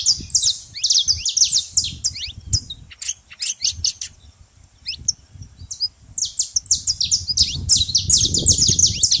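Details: At a feeding spot, saffron finch chatter: bursts of sharp, high, overlapping chirps, a brief quieter lull in the middle, then a busy run of notes again over faint low background noise.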